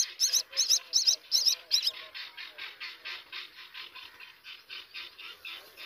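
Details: Common myna chicks being fed by their parent give harsh, raspy begging calls, loud bursts about twice a second at first, then a softer, rapid run of rasping notes.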